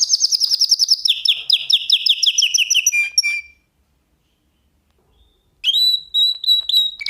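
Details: Canary song played as a singing lesson for canaries, not nightingale-style: a fast run of clipped repeated notes, then lower falling trilled notes, a pause of about two seconds, and a final clear whistled phrase.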